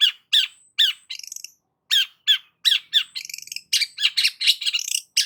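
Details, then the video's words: Long-tailed shrike singing vigorously, used as a lure for a stressed shrike: harsh scratchy squawks mixed with buzzy stuttering notes and rapid chattering phrases, delivered in dense bursts with short gaps. "BURUNG CENDET GACOR PALING AMPUH UNTUK PANCINGAN CENDET STRES"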